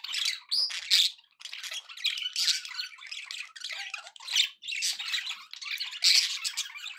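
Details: Pet budgies in a happy mood keep up a steady chatter of raspy warbles, clicks and sharp squeaks, coming in short bursts separated by tiny gaps.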